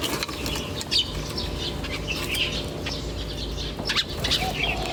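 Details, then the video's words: Chirping birds outdoors in nature, with scattered short high tweets through the whole stretch, some doubled, spaced irregularly, against a constant low rumble and rustling background. "The chirping of birds in nature"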